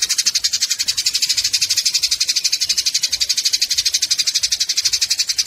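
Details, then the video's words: Fighting Eurasian tree sparrows in a tutor track for training songbirds: unbroken, rapid, shrill chatter of scratchy notes pulsing steadily at around four per second throughout. "Masteran burung gereja tarung"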